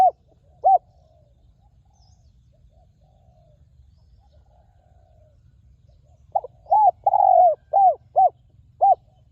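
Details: Wild spotted dove with a fine, ringing voice, recorded at a ground decoy: a pair of short coos opens, a long silence follows, then a rapid phrase of hollow arched coos including one extended note, ending in two spaced coos.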